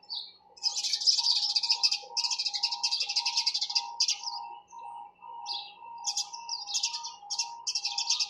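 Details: Chirping of sparrows: loud, rapid strings of sharp high chirps in bursts with brief pauses, clear against a quiet background with a faint steady tone.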